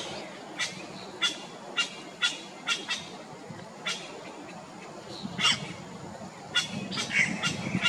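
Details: Yellow-rumped cacique on Ilha de Comandatuba, Bahia, Brazil, in 2020. It gives a series of sharp, broadband clicking and harsh notes at irregular intervals, some with tonal overtones, over a low background rumble.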